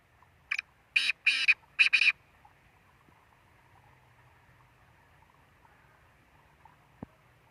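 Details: Black francolin call: a single short rasping note, then a longer doubled harsh note and a final pair of grating notes, all within about two seconds. Quiet after that, with a low background hum.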